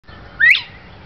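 A single loud, clear whistle sweeps sharply upward then drops, like the ringing second note of a bobwhite's call, over a faint low rumble.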